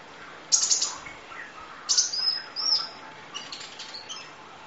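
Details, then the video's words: Van Hasselt's sunbird masteran (kolibri ninja, full isian nembak): a sharp high burst, then a second burst running into thin sliding whistles, followed by faint high twitters. "Audio Master Masteran Kolibri Ninja Full Isian Nembak Durasi Panjang Kicau Burung"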